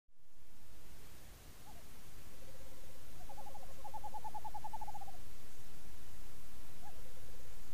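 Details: Western Screech-Owl pair during copulation, trail camera in the Sonoran Desert, Tucson: a quick, even run of hollow hoots lasting about two seconds, framed by a lower soft trill before and after, over steady low rumble.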